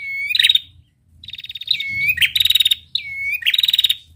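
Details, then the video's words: Trill of a female prinia ('ngetirr'): a high whistle sliding down, then a sharp burst of rapid buzzy pulses, repeated three times with a brief gap near the start. "prenjak betina gacor ngetirr"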